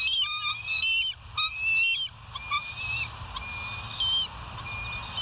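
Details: Bald eagle filmed by a nest live cam at West End, 17 September 2023, late evening; high, squeaky whistled piping notes in drawn-out runs and brief bursts, steady low background hum.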